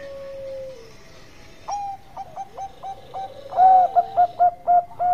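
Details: Zebra dove of the Bangkok line singing actively, a lure song that sets other doves calling: a drawn-out low coo, then a run of short clipped cooing notes that grows louder into bright, evenly spaced hoots near the end.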